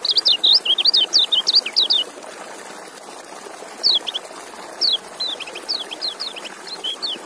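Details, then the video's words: High, rapid twittering song from a white-eye runs for two seconds, followed by looser strings of sweet chirps and short slurred notes. "Relaksasi Suara Kecial"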